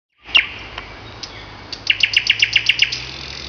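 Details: Common nightingale singing on a May morning: a few separate notes, then a fast series of about eight sharp, clicking notes near the same pitch, repeated roughly four times per second.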